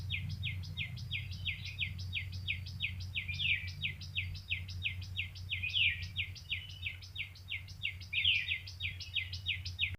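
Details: Bird giving rapid, evenly spaced high chips that drop quickly in pitch, repeated several times a second throughout, a few stronger notes standing out, against a steady low rumble.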